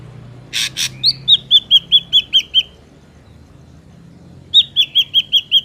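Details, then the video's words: Ashy drongo song used as a trapping lure: a harsh broadband burst, then a run of about eight clear whistled down-slurred notes at a steady pace, a pause, and another matching run of whistles; quiet background. "SUARA BURUNG SRIGUNTING ABU ASLI SUARA ALAM"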